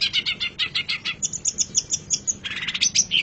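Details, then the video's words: Long-tailed shrike master song for training caged birds: a quick steady series of chattering notes giving way to high thin whistles, then a scratchy burst with clear whistled accents. "Suara Burung Cendet"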